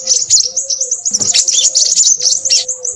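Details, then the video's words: Crimson sunbird, a nectar-eating bird of scrub, plantations and forest, in a loud busy bout: rapid high sharp chips and twittering trills running almost continuously, with a steady faint lower tone beneath. "burung sepahraja ribut"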